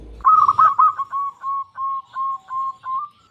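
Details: Local zebra dove in full song, used as a lure to stir silent or stressed doves into singing: a string of about nine short, hollow cooing notes, quick and rolling at first, then evenly spaced near three per second.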